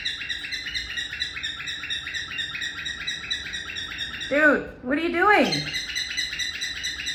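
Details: A pet cockatiel chirps steadily in quick, bright, repeated notes as a morning "alarm clock" to wake the household, including budgies, with a man's voice breaking in briefly.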